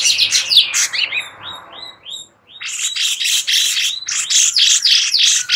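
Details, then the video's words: Tutor song for white-rumped shamas from a sooty-headed bulbul: bright chatter, a run of rising whistled upslurs, then continuous buzzy, rapidly repeated high phrases. "Master Cucak Cungkok"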